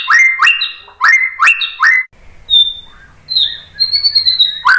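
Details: Shama singing to provoke other birds into replying. It opens with five loud repeated two-part whistles, each a sharp upswept note dropping to a flat tone, then gives thin, high, level whistles and a closing burst.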